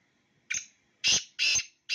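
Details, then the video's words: Two Black francolins of the Sindhi strain, called mast tetar; a brief harsh opening note, then loud rasping, buzzy notes spaced about half a second apart, with the start of another note cut off at the end. "Black francolin _beautiful sound of two birds"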